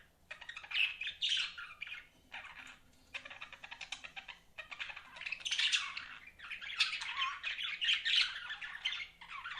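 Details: Budgies chattering in bursts of scratchy, warbling chirps broken by short pauses, with a faint low hum underneath.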